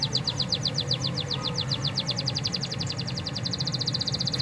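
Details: Canary singing, used to rouse canaries that barely sing: a steady, very fast trill of repeated notes that tightens and quickens near the end, over a background of low noise.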